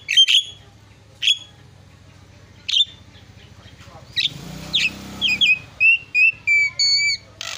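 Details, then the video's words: Javan myna giving isian-style song: a few spaced, sharp squawking notes, then a quicker run of clear, bending whistles at the end, over a faint low hum. "SUARA ISIAN..!! JALAK KEBO PALING KRENN"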